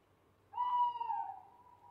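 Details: At night an owl gives a single drawn-out hoot of over a second. It is tonal and rich in overtones, starts strongly, dips slightly and trails off evenly, over a low, quiet background hum.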